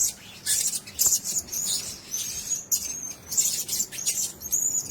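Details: High, thin, squeaky calls from Blue-crowned hanging parrots held together in one cage, repeated in quick bursts between soft rustles and fluttering, with one sharp click early on.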